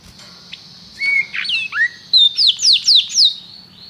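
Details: Canary phrase: a few scattered slurred whistles and downward sweeps, then five loud, bright rising-then-falling notes about a quarter second apart, over a faint low hum.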